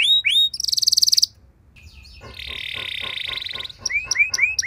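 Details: Canary song used to start other canaries singing: a few sweeping whistles, a loud buzzy trill, a rattling buzzy stretch, then quick upslurred notes.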